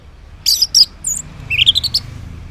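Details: Orange-headed thrush in morning song, used to lure quiet males into answering: two loud high squeaky notes, a brief pause, then a fast rising sequence of thin whistled chips.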